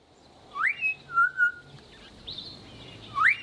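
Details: A Southern Boubou pair duets: the female calls first with a sharp rising whistle, the male answers with two level, mellow whistles, then the rising whistle again, over a soft background hum.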